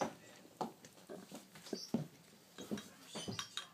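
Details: Hand-fed grey parrot (Psittacus erithacus) chick gives soft, irregular grunting and squawking begging calls in short bursts, with faint clinks of feeding utensils in a quiet room.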